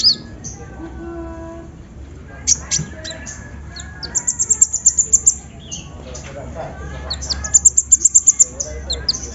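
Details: Sunbird song played to prompt singing: high squeaks and twitters, then two bursts of rapid, evenly spaced sharp high notes, each about eight to ten strokes long, with some faint lower sounds and background hum.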